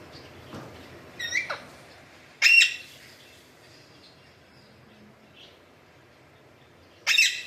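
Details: Alexandrine parakeet giving two loud, harsh, rasping squawks a few seconds apart, plus a softer scratchy note before them, over a quiet background.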